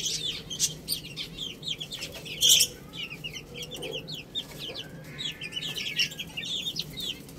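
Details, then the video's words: Several small chicks pecking at rice, their high, thin chirps overlapping in a busy continuous chatter with a low background hum. "Beautiful Chicks Chirping Sounds"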